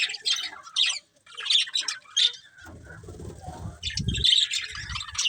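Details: A breeding pair of colourful budgerigars chirping in a quick burst of bright, scratchy, high twitters. Then comes a pause filled with low fluttering and rustling, like wings flapping, and after it more busy chirps.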